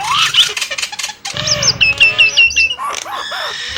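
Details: Song of the Nias hill myna, opening with a harsh squawk, then a run of bright looping whistles repeated rapidly, ending in lower curved piping notes.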